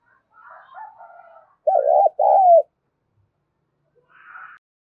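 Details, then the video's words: Spotted dove calling to stimulate other doves: soft, higher cooing notes first, then a loud, low two-part coo with a falling second note, and later a brief faint higher sound. "tiếng cu gáy thúc và gáy gọi cực đỉnh/ chim cu gáy kích bổi"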